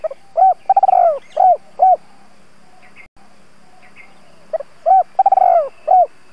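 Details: Decoy spotted dove giving its urging and calling coo to lure wild doves: two low, mellow cooing phrases. Each phrase has several hollow notes and a rapid rolling middle, separated by about three seconds of quiet hum.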